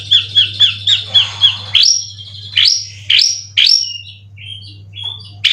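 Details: Caged white-rumped shama from Indonesia, a competition bird with twelve contest wins, three moults, in 90% form, singing full 'cililin' song material: a quick run of six bright slurred chirps, then loud rising whistled sweeps and shorter whistles, over a low steady hum.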